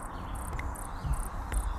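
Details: A male Ruby-throated Hummingbird, gorget spread, flies back and forth in a courtship shuttle display to a female, making short, high buzzy wing clicks about every 0.4 seconds, over a low background rumble.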